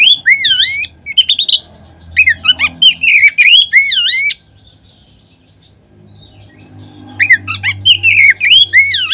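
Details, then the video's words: Oriental magpie-robin lure song: bursts of loud, ringing, swooping whistles repeated about three times a second, a quiet gap of nearly three seconds, then another lively whistled volley. "Kacer manapun seketika terangsang berbunyi dengan pancingan ini."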